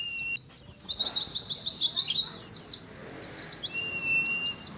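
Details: Competitive ngalas song from an Oriental white-eye: a thin whistle, then a dense rush of high downslurred chirps, a brief lull, and sparser twitters over a long flat whistle.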